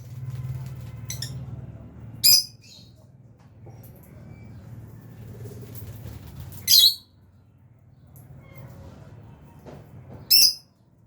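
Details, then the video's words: Aviary lovebirds, albino and Fisher's, utter three loud, piercing single chirps spaced about four seconds apart over a soft low rumble. "Lovebirds Chirping Sounds"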